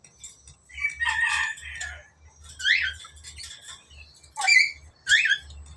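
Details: Yellow-beaked black-capped lory, kept as a talking parrot, producing a run of harsh, rasping, word-like squawks with quick rising-and-falling sweeps, about six bursts with short pauses; steady low hum in the background.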